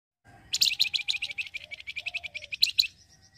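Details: Flamboyan bird song used to lure other birds and draw a quick response, a chattering style: a fast run of about twenty sharp, high, dry chirps lasting two and a half seconds, with a faint low tone underneath.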